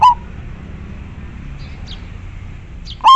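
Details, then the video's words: Local zebra dove of the Majapahit type, singing actively with a very clear voice: a short cooing note near the start, then a quiet pause, and another strong warbled coo cut off at the end, over faint low background rumble. "Perkutut lokal gacor sangat jernih majapahit suara nya bikin adem"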